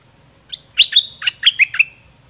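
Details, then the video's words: Song of a dok taeng bird, recorded in 2020 as a teaching tape for young birds: sharp chirps and short downward-slurred notes tumble together, ending in a fading high whistle. "เสียงนกดอกแตงเจ้าเพชรกับเจ้ามณี เสียงใหม่ล่าสุด2020ไว้สำหรับต่อ ใช้หัดลูกนกให้ร้องตาม"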